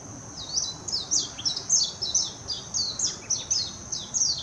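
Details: In Hashimoto, Wakayama, Japan, 26 June 2021, a warbling white-eye delivers an unbroken, rapid series of high, descending twittered notes, about two per second, captured with a Nikon Coolpix P900 alongside a steady high-pitched drone.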